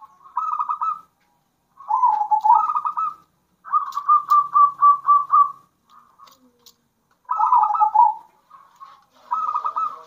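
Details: Local zebra doves in alternating song meant to stir other doves to sing: a series of bubbling, trilled coo phrases, each about a second long, separated by short pauses, with a few faint softer notes between.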